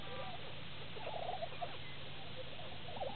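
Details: Lesser prairie chickens displaying on a lek near Woodward, Oklahoma, on April 18, 2009, heard from a blind: faint overlapping gobbling, bubbling notes in clusters, with a steady low rumble of background noise throughout.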